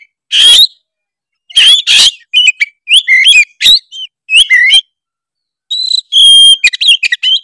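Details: Oriental magpie-robin of the Tretes kind, singing a lure song that provokes rivals: harsh buzzy bursts, then a string of bright rising and falling whistles, and a long pure held note near the end.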